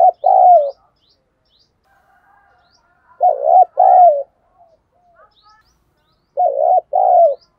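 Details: Spotted dove used as a decoy, calling to lure wild doves. It repeats a two-part coo, brief then longer and slightly falling, three times about three seconds apart, while faint high chirps from other birds sound between them.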